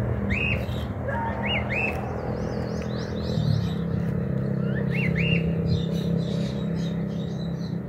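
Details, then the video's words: Loose cockatiel found on a rooftop in 2023, likely escaped, in an area where the species is not usually seen, giving a few upslurred-then-falling whistled calls among other faint chirps and steady low hum. "Cacatúa ninfa"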